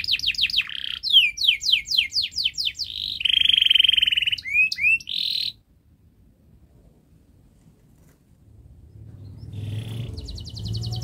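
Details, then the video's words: Canary singing a fast model song for young canaries: downslurred repeated notes, a buzzy roll and rising whistles for five seconds, then a pause with low rumble before faint trills resume. "Kenari Gacor Panjang Speed Rapat Untuk Pancingan kenari Paud Agar Cepat Gacor"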